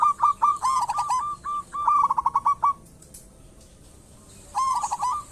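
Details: Local zebra dove in energetic song, loud rolling bursts of quick mid-pitched coos followed by spaced single coos, a pause, then another rolling burst.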